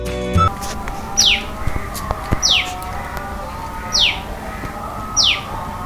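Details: A Common Tailorbird in Sri Lanka, where it is a shy bird of urban gardens, gives four sharp, high notes that drop steeply in pitch, about one every second and a half, over soft background music.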